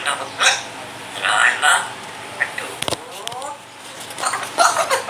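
A grey parrot talks in short speech-like bursts with mimicked words and a cough-like sound, broken by brief pauses and a sharp click.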